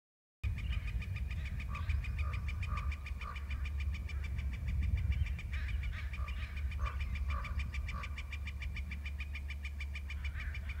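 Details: Male eagle trilling: a long, rapid run of evenly spaced staccato notes, steady throughout, with lower whistled notes woven in and a constant low hum underneath.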